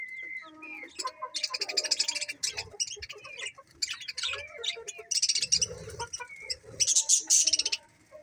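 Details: A happy colony of budgerigars chattering continuously, with scratchy buzzing bursts, brief whistled notes and squeaky chirps overlapping throughout, rising to louder clusters of harsh calls near the end.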